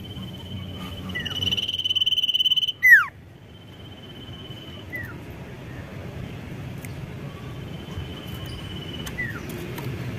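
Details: Sirtu singing loudly to provoke rivals: a fast buzzy trill of rapid pulses lasting about a second, then a sharp falling whistle. Fainter repeated trills and short downslurred notes follow over steady low background noise.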